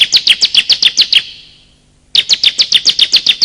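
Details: Bar-winged prinia calls, male and female, used as a lure: two fast, regular trains of high, sharp chirps, about eight each, separated by a one-second gap.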